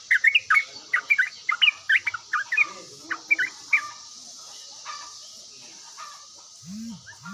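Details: A yellow-vented bulbul answering quickly, with a burst of choppy, slurred whistled phrases that thin out after about four seconds, leaving quiet background, faint voices and a low sliding hum near the end.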